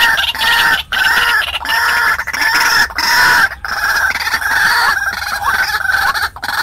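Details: White-breasted waterhen lure call used to attract wild birds: loud, harsh, harmonic-rich croaking notes strung together almost without pause, about 95 per minute, in uneven bursts with brief gaps.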